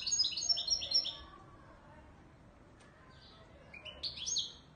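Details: Ouidani Marrakchi European goldfinch from Morocco: an opening second of quick, bright twittering, a quiet gap, then a rising phrase of chirps and tinkling notes near the end.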